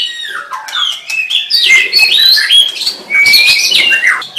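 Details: White-rumped shama singing a fluent sequence of clear whistles, a descending slur at the start, then steady high notes and bright sweeping phrases packed closely together.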